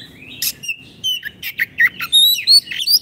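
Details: Oriental magpie-robin (kacer) in lively 'gacor' song, used as masteran to train caged kacer that have stopped singing: varied whistled phrases, high slurred notes rising toward the end, short buzzy bursts, with a faint low hum behind.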